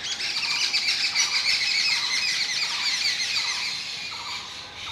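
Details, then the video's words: Jungle babbler, a gregarious bird of the Indian subcontinent, giving its breeding song: a continuous harsh, squealing chatter of rapid overlapping notes, dense and unbroken, fading slightly at the end. "jungle babbler Argya striata CALL BREEDING SONG"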